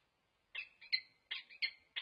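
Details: Wild peregrine falcon pair at a nest site at UC Berkeley, recorded on 26 November 2023 while pair-bonding and staying alert to intruders: five short, harsh, clipped notes at roughly even intervals, with quiet gaps between them.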